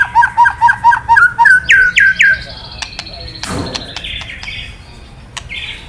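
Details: Kretekan of a white-rumped shama, played to make male shamas sing: a rapid series of about ten evenly spaced whistled notes, three sweeping upslurs, then a noisy burst and quiet fading notes.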